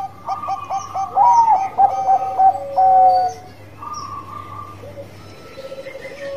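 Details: Bangkok-type zebra dove singing its bekur song, played as a lure to stimulate other birds: several short, soft coos in a row lead into longer, level, mellow notes, repeated in phrases. Quieter bird chirps fill the background.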